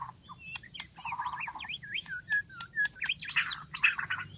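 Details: White-rumped shama giving a rapid string of short up-and-down whistled notes, growing louder toward the end, with a low hum in the background.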